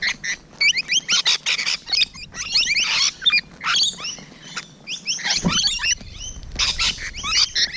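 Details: Morning recording from June 2017 of Rainbow Lorikeets near at hand: rapid screechy chattering from a flock, loud bursts with short gaps, and a low bump midway.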